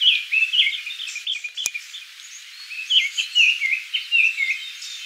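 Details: Japanese thrush in song at Kiyokawa Village, delivering lively whistled phrases of varied pitch, a short gap broken by a single sharp click, then more rapid, fluty notes with down-slurred endings.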